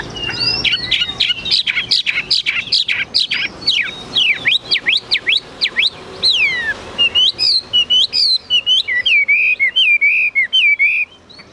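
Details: Captive Chinese hwamei kept as a cage bird, singing high: a loud, fast run of rich whistled notes sweeping up and down, rapid slurred phrases at first, then bright looping, warbled notes with short pauses.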